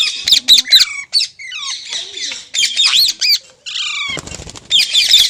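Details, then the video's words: Green parrot, kept as a pet and presented as talking, giving harsh, high, rasping squawks and chattering bursts in quick clusters, with brief pauses and a soft flutter of wings near the end. "Green Parrot Talking Natural Sounds | Mitthu Ki Awaaz | Tote Ki Awaaz"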